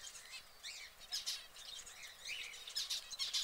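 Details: Canary singing in a cage alongside other caged exotic birds: quick bursts of high, twittering chirps and short rising and falling notes, several elements overlapping, broken by brief pauses.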